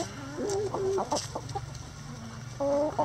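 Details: Chickens in a coop yard: a few clear, tonal clucks with rising and falling pitch, a short pause, then a louder sustained cluck at the end, over low background hum.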